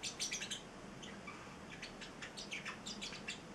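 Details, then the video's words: Eight-week-old male Celestial parrotlet, a pet bird, singing: quiet high chirps in short clusters, some broken into fast ticking notes, over a steady low room hum. "the Singing Parrotlet"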